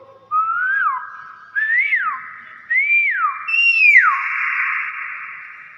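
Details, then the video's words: A talking pet common hill myna, which also says "Assalamualaikum" and sometimes pecks so must be tied, gives four loud, clear whistles about a second apart, each rising then dropping sharply, ringing in a small room. "BURUNG BEO GACOR SUARA ASLI"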